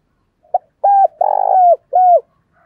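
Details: Spotted dove used as a decoy bird, cooing to call in wild doves; a short soft note, then three low mellow coos, the middle one longer and rolling, in a quiet setting.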